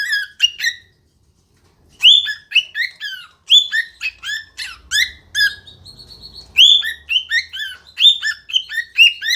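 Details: Cockatiel (Nymphicus hollandicus) sings bright, warbling whistles in quick bursts, with a brief steady whistled note midway; it is also said to talk ("Pika Pika Pikachu").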